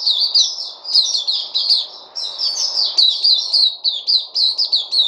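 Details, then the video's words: White-eye locally called Puteh, kept caged, delivers a continuous high twittering song of quick slurred notes with short pauses between bursts, over a low steady hum. "Puteh Crazy"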